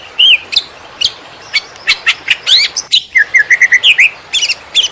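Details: Greater green leafbird singing konslet style, recorded as a master track to teach other birds: isolated sharp clicks and sweeps, then a fast burst of short, even whistled chirps ending in bright flicks.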